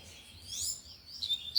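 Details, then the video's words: Brief, loud tui-tui singing from a lined seedeater: a high sweeping, slurred phrase, followed by sharp whistled notes rising to a loud final note. "Coleiro de gola Tui Tui cantando forte"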